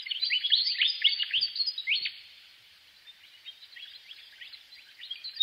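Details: Willie wagtail chirping in a fast, jumbled string of high, sliding squeaky notes. The series starts loud and fades to softer twitters.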